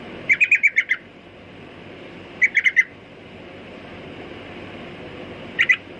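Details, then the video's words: Sooty-headed bulbul giving short bursts of clear chirped notes: a run of about six, then four, then two, spaced a few seconds apart over steady background hiss. "Burung Trucukan Kicau Mania"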